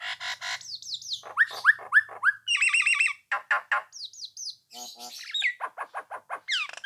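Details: Nias hill myna singing to provoke rivals into joining in: harsh chatter, downslurred high whistles, a trilled rattling phrase, nasal buzzes and a closing run of short falling notes.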